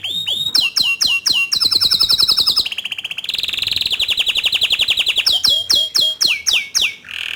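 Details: Tutor song for young and untrained canaries from a bottle-green canary in strong voice: sharp repeated down-slurred chirps, a long rapid rolling trill that steps down in pitch, then more spaced chirps and a closing buzz.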